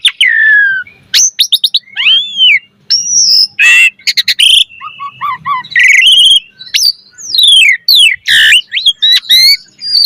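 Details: Asian pied starling giving rich, varied chattering song (gacor mompa), meant as a training master: dense sequences of sweeping whistles, rattling buzzes and lower clucking notes packed closely together.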